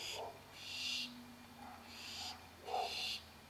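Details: Young barn owls waiting for their dinner give harsh, rasping hisses, each about half a second long, repeated roughly every second, over a faint low hum.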